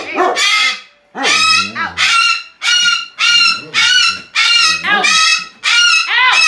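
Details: Captive 23-year-old rescued female umbrella cockatoo screaming repeatedly: about nine harsh, grating squawks, some with a falling, wavering edge, delivered in an uneven, rapid series.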